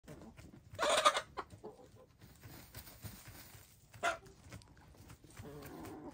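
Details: Hens (gray, lavender, blue and black) taking a dust bath give two brief, loud, throaty squawks about three seconds apart, with soft low murmuring clucks between them.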